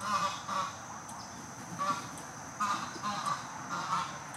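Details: A male Canvasback with new female companions gives short, nasal, honking calls in clusters of one to three over four seconds, against a steady background hiss.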